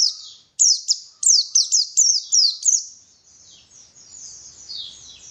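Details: Lure of white-eye song to make white-eyes sing actively: a tight cluster of bright, high, downward-swooping chirps, closely spaced, fading into softer thin twittering.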